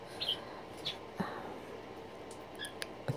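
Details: A two-week, three-day-old green-rumped parrotlet chick gives three or four thin, high, unevenly spaced squeaks during its first hand-feeding, with soft clicks and handling sounds in a quiet room.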